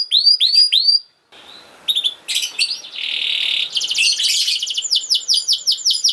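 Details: Canary song played as a tutor recording for young canaries: rapid series of high, downward-sweeping whistled notes, a short pause, then buzzy bursts, a steady buzzing roll, and fast chirping sweeps at the end.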